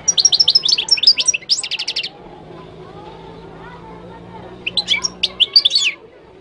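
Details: Moroccan goldfinch pouring out a fast, tinkling run of twittered and trilled notes for about two seconds. After a pause it gives another jingling burst, with a faint low hum beneath.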